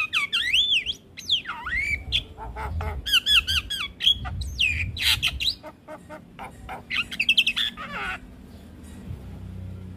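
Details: Javan myna singing in full voice, used to train young mynas: a loud, varied run of squawks, chattering bursts and slurred rising and falling whistles, with steady low background noise.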